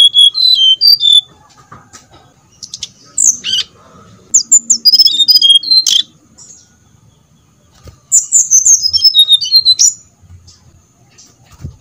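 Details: Brown-chested jungle flycatcher song used as a lure to stir other birds into song: three separate bursts of rapid, high, tumbling whistles dropping in pitch, with quiet gaps and faint background clicks between them.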